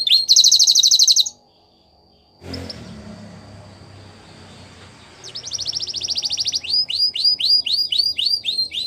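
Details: Belgian canary song for training young canaries. A loud, dense high trill opens, then a long quiet pause with faint background noise, before rattling trills and repeated upswept whistled notes resume.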